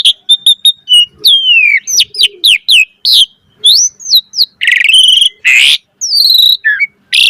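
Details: Asian pied starling singing gacor with full variation: rapid clicks and tinny notes, sweeping whistles up and down, then harsh rasping bursts mixed with squeaky chirps.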